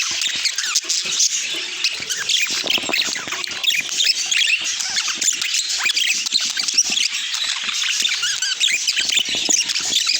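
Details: Pet budgerigars chirping together in a dense, continuous chatter of high, squeaky chirps and warbles with no pauses, many birds overlapping for the full ten seconds.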